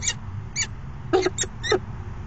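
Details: Falcons meeting at a nest box for a short courtship "dance" on a September 2016 afternoon; five harsh, nasal calls come in uneven spacing over steady low background noise.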